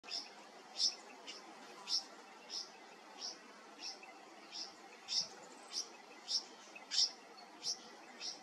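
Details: Young Red Wattlebird being taught to drink and given water, uttering thin, high, sharp chirps repeated steadily about every two-thirds of a second, a dozen or so in sequence over quiet background hiss.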